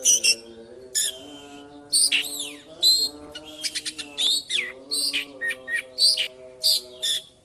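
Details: Kacer, the Oriental magpie-robin, in ngipas plong style: rapid strings of bright whistled and buzzy phrases in quick succession, layered over a steady low droning tonal accompaniment resembling music.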